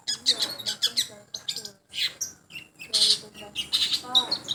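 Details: Long-tailed shrike singing in a sound test: dense, harsh chattering bursts and scratchy notes, with brief gliding whistled tones in between and short pauses.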